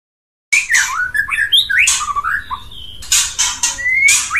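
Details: Male white-rumped shama courting a female: a varied run of whistled slurs and swoops interleaved with harsh broadband chattering bursts, ending in a bright rising whistle.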